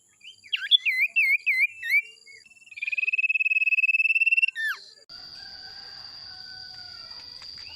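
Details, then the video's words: Male sirtu lure song with warbled looping notes, then a steady rapid trill lasting nearly two seconds, a sharp descending slur, and a long thin high-pitched tone to the end. "SUARA PANCINGAN SIRTU JANTAN"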